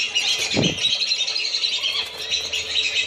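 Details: Lure recording of lesser whistling ducks meant to draw them down, a steady mass of overlapping shrill whistled calls from many birds, broken by a short low rustling noise near the start.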